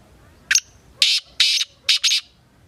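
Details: Black francolin, known locally as kala teetar, gives a harsh grating call: a short clipped note, then three drawn-out buzzy rasping notes, the last two paired closely together; quiet background otherwise.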